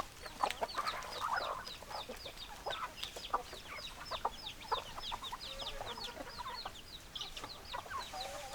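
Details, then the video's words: Flock of hens clucking in a dense chorus of short, overlapping clucks and thin high chirps, with a brief louder harsh squawk near the start and a steady background hum. "Chicken Sounds Noises Hens Clucking Roosters Crowing"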